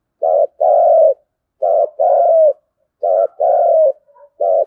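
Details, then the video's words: Repeated "thúc gù" coo of a spotted dove in native-field voice, played to provoke wild doves into calling: three phrases, each a short note and then a longer steady coo, roughly every one and a half seconds, quiet background. "Tiếng cu thúc gù hay bổi nghe ức chế gáy theo cả ngày"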